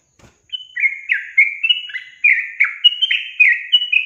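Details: Yellow-vented bulbul song meant to provoke reluctant caged birds into singing: a faint tap, then a rapid string of fluty, slurred whistled notes with quick pitch changes.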